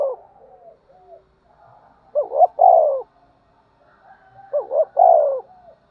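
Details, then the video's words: Spotted dove cooing during fighting and calling: faint background coos, then two loud phrases of a doubled short coo followed by a long falling coo, about two and a half seconds apart. "cu gáy thúc đấu & gáy gọi"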